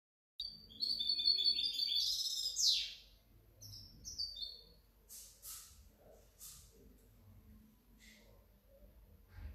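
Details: European goldfinch hybrid, 2019–2020. A rapid, tinkling high twitter with a downward slur lasts about three seconds and is followed by scattered short clicks and chips.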